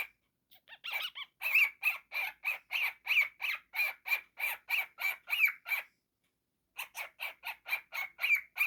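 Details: Young pet cockatiel making silly noises: a string of about twenty fast, raspy squawks at a steady pace, a one-second pause, then another quick burst of harsh repeated calls.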